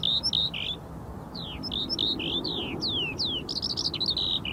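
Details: Eurasian Skylark song of the kind that accompanies its courtship flights over European farmland: rapid high chirps and slurred whistled notes strung together without pause, some descending in sweeps, over soft low background noise.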